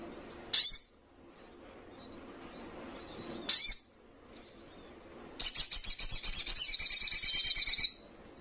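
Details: Young Little Spiderhunter (sogon trotolan), praised as vocal and rival-provoking, gives two sharp high chips three seconds apart, soft twitters, then a long, rapid, buzzy high trill of about two and a half seconds.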